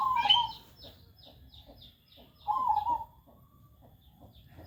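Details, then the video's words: Zebra dove cooing twice, each phrase a short rippling warble about half a second long and spaced roughly two and a half seconds apart, with thin high chirps of other birds scattered between. "burung perkutut"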